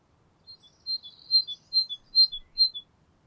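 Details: Great tit singing its simple two-note song, the most common variant: a bright high note dropping to a lower one, repeated about every half second; otherwise quiet.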